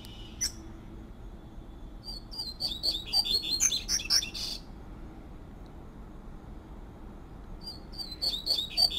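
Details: A double-collared seedeater in nature delivers its fluted 'tui tui' song: a single sharp note, then a long phrase of rapid, bright whistles with a buzzy ending, and another phrase starting near the end.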